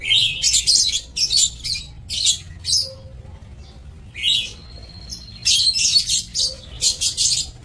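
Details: Captive lovebirds in an aviary used for breeding, 27 March 2024, give a rapid series of harsh, high squawky chirps. A pause with a thin steady whistle follows, then another quick volley of shrill calls.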